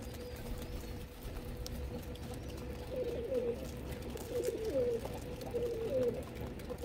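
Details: Feeding pigeons coo in a series of three wavering, rolling phrases spaced roughly a second apart in the second half, with a constant low hum underneath.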